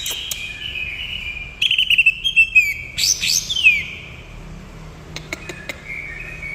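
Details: Greater green leafbird performing 'nembak kapas tembak' song: a stuttering series of quick clipped notes, then a loud sweeping whistle sliding downward, with quieter scattered clicks and a soft trailing whistle afterward.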